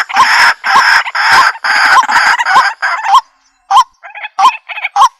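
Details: White-breasted waterhen (kuro-wakwak) call from a Bluetooth speaker. Six strong rasping croaks in steady rhythm, then short quieter hooked kwak notes with gaps between them.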